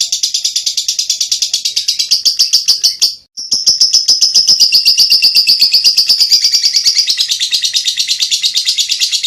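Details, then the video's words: Lovebird delivering a ngekek master song for training other songbirds: a sustained rapid chattering trill, harsh and high, broken by one short pause, then resuming steadily for several more seconds. "LoveBird Ngekek Cocok Untuk Masteran"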